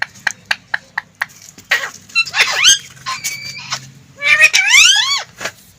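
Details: Talking green ring-necked parrot: several quick ticks, then drawn-out nasal rising syllables, a held flat tone and a long upward-sweeping harsh call, sounding like garbled speech.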